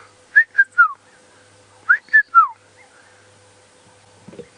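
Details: Red-chested Cuckoo heard faintly in the distance on a very quiet sunset safari drive around 5:30 PM, 21 January 2017, giving two phrases of three clear whistled notes, each sliding down, about 1.5 seconds apart, over a steady low hum and soft knock.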